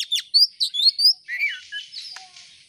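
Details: Oriental magpie-robin in full song, played as a lure to set other birds singing: quick high chips and bright whistles that slide into lower slurred notes and a soft scratchy trill.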